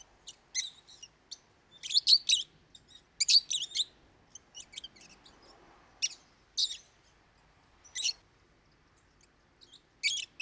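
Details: Pet lovebirds producing their loud, frequent song: clusters of harsh high chirps and squeals in irregular bursts, some doubled, spread over ten seconds with brief quiet gaps.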